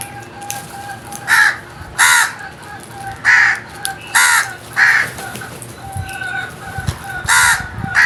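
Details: Crows producing a steady run of about seven harsh caws, roughly one every second, with a faint steady hum underneath.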